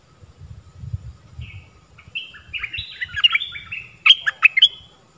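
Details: Stripe-throated bulbul song used for training young birds and attracting wild birds, with several song phrases: loud, bubbly warbling notes building to rapid sharp chirps near the end, with a soft low rumble beneath.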